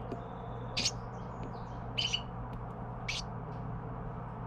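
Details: Baby Carolina wren being fed by its parents: three short, hissy high bursts spaced about a second apart over a low steady hum.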